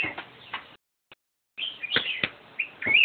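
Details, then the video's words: Black-crested bulbul singing: brief bright chirps, a silent pause, then a quick series of clear whistled notes ending in a sweeping rising phrase. "Black crested bulbul sings melodious songs!"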